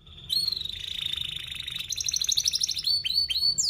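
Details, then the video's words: Canary lure song for young birds learning to sing: a long even buzzing roll, shifting higher into a fast bubbling trill, ending in a few sharp rising chirps. "Kenari Gacor Paud SPEED RAPAT Cuit cuit Ngerol, Pancingan Kenari PAUD BELAJAR BUNYI"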